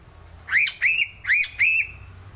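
A Sulawesi crow gives two quick pairs of nasal, squawky notes. Each note bends upward, then holds a clear, reedy pitch. A faint low hum sits underneath.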